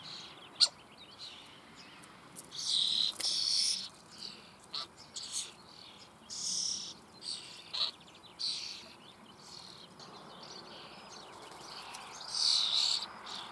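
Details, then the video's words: Starling young being fed in a breeding hole in the Eifel, near Büchel: irregular bouts of harsh hissing begging bursts with sharp clicks and quieter pauses between. "Star füttert Junge in Bruthöhle"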